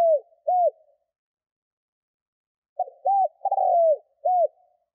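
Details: Spotted dove call used to attract wild birds, opening with the end of one phrase, then after a pause a full phrase of clipped note, arched coo, long rolling burry coo and a closing arched coo.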